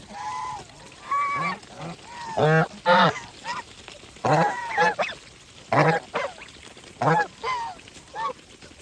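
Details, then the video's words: Farm geese while feeding, giving loud nasal honks with rich harmonics in irregular bursts, roughly a dozen calls over nine seconds, some rising then falling, interspersed with quieter low grunts and a steady background hiss. "Geese life with natural sound"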